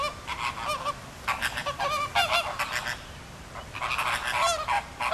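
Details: Flock of captive flamingos at Philadelphia Zoo massing in a display, wings flapping as they circle; dense overlapping nasal honks, some with a rising-falling inflection, in three loud waves.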